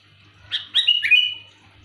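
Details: Loud sooty-headed bulbul call used for luring: a short, clear bubbly phrase of three quick chirps sliding into a level whistled note, then quiet.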